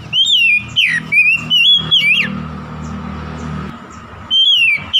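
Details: Provoking song of an oriental magpie-robin toward a rival: loud whistled phrases with sharp downward slurs for two seconds, a pause filled with low hum, then one more falling whistled note.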